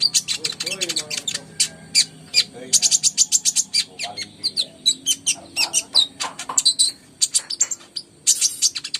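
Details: Kolibri ninja song meant to trigger singing in birds that rarely sing. Long bursts of shrill, rapid twittering and chips run almost continuously with only brief gaps.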